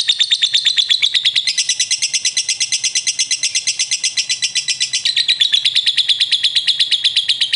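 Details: Long 'ngekek' chatter from a prospect lovebird responding to another lovebird: rapid, evenly spaced, high buzzy pulses running continuously, with small shifts in pitch partway through and near the end. No other sounds stand out.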